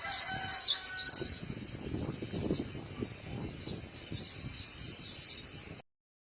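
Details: White-eye giving a crisp song of rapid, high twittering notes, one burst at the start and another near the end, with low rustling noise in between.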